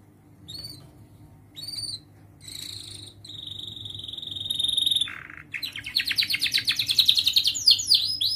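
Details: Young canary rehearsing song phrases as tutor material for juvenile canaries: isolated high chips, a long buzzy trill, then a dense rapid rolling trill growing louder.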